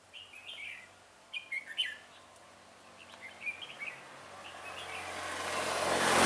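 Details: Decoy red-whiskered bulbul singing to draw rivals into a trap, recorded 17 November 2017: short, bright, chattering phrases of several notes, repeated with brief gaps. A rushing noise swells toward the end.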